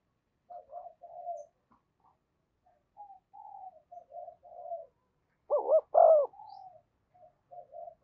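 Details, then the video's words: Spotted dove kept as a lure for wild doves. Soft low coos run through most of the recording, with two loud arched coos in the middle. "Chim Cu Mồi Thúc Và Gáy Gọi Bổi Nhanh Về Cội"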